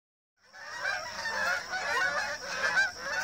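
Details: Canada geese migrating in formation over Rochester, New Hampshire, a flock honking overhead in a dense, overlapping chorus of nasal honks that begins after a brief silence and carries on steadily, with calls tumbling over one another.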